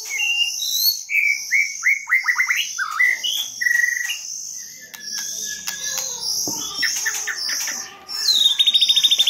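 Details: White-rumped shama song used as a lure, 2022: a series of clear downslurred whistles, then dense high twittering and a closing fast buzzy trill, with faint insect-like chirping in the background.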